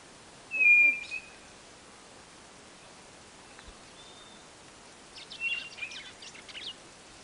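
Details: A single loud, level White-bellied nothura whistle at the start, then a quiet pause and a cluster of rapid, twittering chirps from another bird later on.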